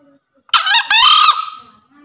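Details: Crow of a male green junglefowl in breeding condition, used as a master call to prompt lazy birds and as a forest lure: brief harsh opening syllable, a break, then a drawn-out hoarse screech tapering away.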